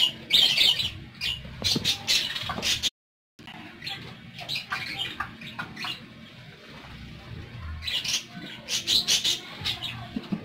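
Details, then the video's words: Pet parakeets chirping in bursts of sharp, high twittering notes, loud at the start, pausing briefly, then resuming with clustered chirps toward the end. "PARAKEETS (Listening To Their Tweets)"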